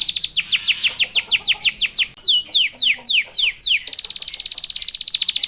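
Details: Fast-singing canary song meant to provoke other canaries: rapid series of sweeping downward whistles, about three per second, shifting to a fast buzzy trill near the end.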